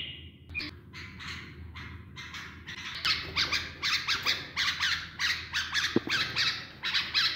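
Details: Tame bulbul singing during mating training, giving bright, scratchy chattering phrases about one burst per second, rising and falling in quick bubbly notes; Bulbul.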